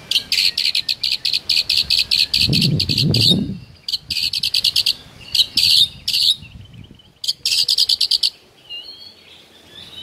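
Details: White-rumped shama (murai batu), morning song in full voice with rich fill: repeated bursts of fast, buzzy, high rattling trills broken by short gaps, with a brief low rumbling noise partway through.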